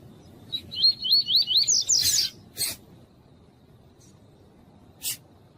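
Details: Double-collared seedeater (coleiro tuí-tuí), a tournament-type bird, singing to warm up other males, with a female calling: a short run of five quick wavy whistled notes, then a brighter rising flourish, followed by sharp broadband clicks.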